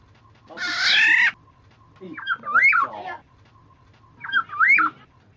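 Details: Used as a lure, a black-naped oriole gives a rasping nasal call, then two separate liquid whistled phrases that jump up and down in pitch.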